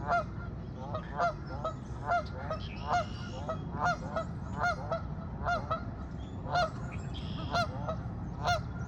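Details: Canada geese honking at the person recording: a steady run of nasal, bugling honks with rich overtones, repeated about twice a second with some overlapping calls, over a constant low rumble of background noise.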